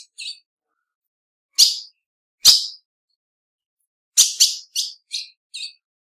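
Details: Sharp high chip calls of a female ultramarine grosbeak, two isolated loud notes followed by a cluster of five quicker, fading chips, with silence between.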